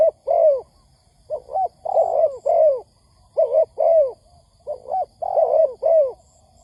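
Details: Spotted dove cooing for use as a trapping lure: repeated clusters of soft, rounded coos, some notes drawn out and falling, delivered in quick succession with faint high chirps audible.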